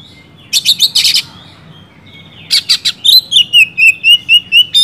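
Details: Oriental magpie-robin (Copsychus saularis), song.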